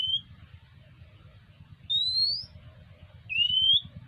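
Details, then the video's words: Food-begging Oriental magpie-robin, three sharp rising whistles, the first clipped at the start, the next two spaced about a second and a half apart, with a low humming rumble underneath throughout. "เสียงนกกางเขน : น้องมาขออาหารกิน"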